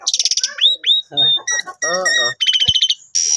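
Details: Caged Asian pied starling in 'gacor full isian' song during play with its owner to make it tamer: rapid high chattering, sharp upslurred whistles, then harsh nasal rasping phrases and a trill, with a possible human voice in between.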